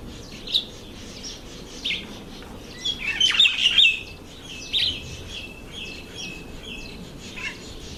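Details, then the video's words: Red bishop during the October–November breeding season: scattered sharp, high chirps and short twittery bursts, busiest around the middle, over a faint steady background hiss. "Red Bishop"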